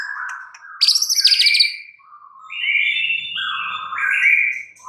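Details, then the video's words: Caged white-rumped shama (murai batu) recovering from stress-induced silence; a harsh high buzzy burst followed by smooth drawn-out whistled notes stepping between pitches. "murai batu BISU, STRES, MACET TOTAL bakalan NYAUT GACOR dan Kembali FIGHTER"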